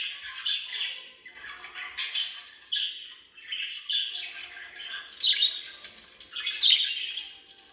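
Budgerigars chatter in busy, scratchy warbles broken by sharp high squawks.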